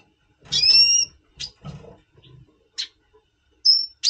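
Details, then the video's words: November 2023 recording of a double pastel red siskin in pre-breeding condition: a drawn-out, slightly nasal whistled note, a few sharp chips, and a short clear high whistle near the end. "Red Siskin 🦩Double Pastell 🔥FeuerZeisig before Breeding - Voice Brutstimmung"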